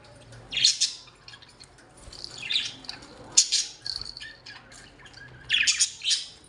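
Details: Home-kept budgerigars in a domestic setting, making harsh, scratchy squawk bursts that come in three or four clusters a couple of seconds apart, with quieter chatter between them.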